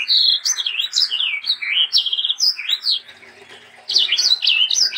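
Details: A sanger in lively song, meant to tutor and lure young sangers: quick, continuous high whistles and trills with buzzy slurs, a brief quieter stretch, then another bright run of chirps.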